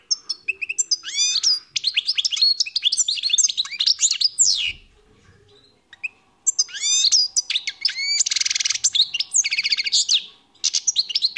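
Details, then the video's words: European goldfinch, wild, singing two long phrases of rapid, sweet twittering separated by a short pause, with bright chirps, rising slurs and a harsh buzzy rattle in the second phrase. "تغريد طائر الحسون"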